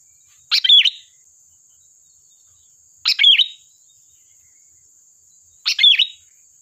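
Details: Sooty-headed bulbul song used as a lure: three short bright phrases, each a quick cluster of notes ending in a clear whistled slur, spaced about two and a half seconds apart, with a steady high electronic hiss throughout.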